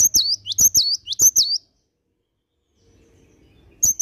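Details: Cinereous tit in vigorous morning song, a rapid chain of high, swooping whistled notes for about a second and a half, a two-second pause, then the phrase starting again.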